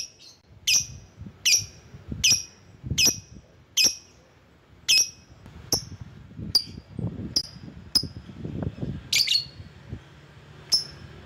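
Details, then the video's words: Lovebird calling as a lure for rivals: a steady series of piercing high chirps repeated roughly every three-quarters of a second, one harsher squawk near the end, with soft low rustles. "Burung LOVEBIRD Ampuh memanggil lawan"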